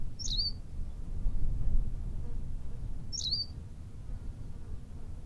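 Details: On La Gomera, Canary Islands, a Berthelot's pipit repeats a brief, high, squeaky call twice about three seconds apart. Each call is a sharp note dropping into a thin buzzy whistle, with heavy low background rumble throughout.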